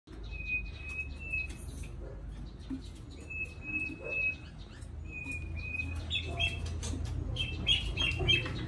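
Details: White-rumped shama singing gently: long, level whistled notes repeated three times over a steady low hum, then quicker, higher twittering notes and clicks toward the end.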